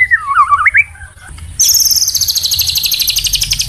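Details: Training song of a murai batu for the morning: a short dipping, wavering whistled phrase, a brief pause, then a long, very high, fast buzzy trill of rapidly repeated notes that runs to the end.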